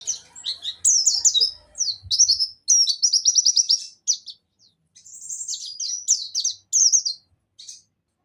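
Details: Dakun white-eye (pleci) from Pacitan singing in the nembak style with mantenan and zipper witwit phrases: high, fast strings of sharp downslurred chirps and quick trilled bursts, broken by short pauses.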